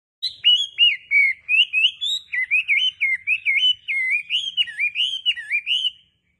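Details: Wambi bird singing a loud, sweet, lively song: a fast run of high whistled warbling notes that slide up and down, about twenty phrases in six seconds, on a quiet background.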